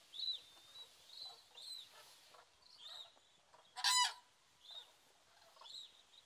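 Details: Common cranes at Lac du Der, France, in 2017, heard from a photography hide, give scattered honking notes. A single loud, harsh trumpeting call bursts out near the middle over quieter background calls.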